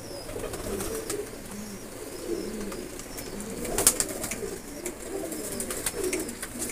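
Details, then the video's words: Blue pigeons prepared for pigeon flying coo in low, rolling, repeated phrases, with occasional sharp clicks and a light background hiss. "نیلے رنگ والے کبوتر بازی میں اڑنے کے لیے تیار"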